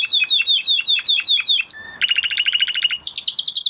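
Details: Canary after moulting sings a string of evenly repeated chirps, a brief pause, then a fast buzzy trill and a higher rapid trill, each phrase about a second long.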